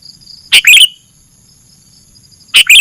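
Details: Sooty-headed bulbul, for songbird training: two loud clipped chirp phrases two seconds apart, each a harsh onset followed by a quick descending note, with a thin steady high hum in the background.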